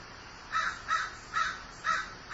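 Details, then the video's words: Five hoarse, grating caws from a grieving crow, each short and rough, following one another about every half second. "Grieving Crow"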